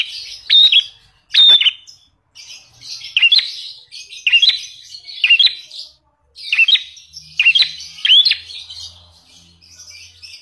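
Lovebird giving sharp, high chirps and rasping trills in quick bursts, about one every second, copying a prinia's song; a faint low hum runs underneath.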